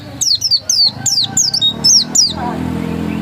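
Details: Pleci dakun (oriental white-eye) ngotot singing: about seven sharp, high falling whistles in rapid sequence, then it stops, leaving a low background murmur.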